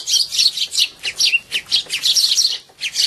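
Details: Sparrows squabbling as they eat at a feeding spot in February 2011: dense, high chirps and chatter in quick pulses, several birds calling together almost without pause.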